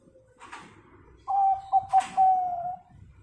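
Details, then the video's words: Local zebra dove singing as a lure to prompt other birds to sing: after soft rustling, a loud level coo broken by two quick stutters, then a long steady coo that trails off. "perkutut lokal sangat ampuh buat pancingan biar manggung"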